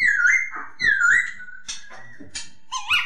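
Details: Masked laughingthrush, known locally as poksay hongkong, singing loud, clear whistled phrases that slur down then up, with short broken notes and brief pauses between phrases, indoors with no other clear sounds.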